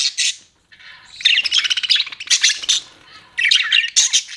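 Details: Budgies chirping: a brief squawk, a short pause, then buzzy rapid twittering phrases and harsher chattering bursts, all high-pitched.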